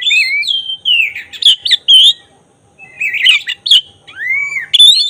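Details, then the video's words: Lure song of a black-breasted oriental magpie-robin, used to stir emotion and make the bird fan its tail: clear whistles and sweeping slurs with scratchy bursts, a silent gap mid-phrase, then rising arched notes. "Suara khas pancingan agar emosi buka ekor burung kacer dada hitam gacor"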